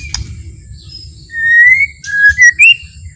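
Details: White-rumped shama giving a slow, gentle song meant to rouse rival shamas: long drawn whistles rising slightly, followed by two short upswept notes, with low steady background hum.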